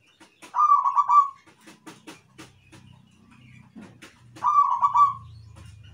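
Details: A zebra dove, in a rhythmic full-song recording used to lure other doves, gives two mellow, rolling trilled coos about four seconds apart, with sharp clicks and a low background rumble between them.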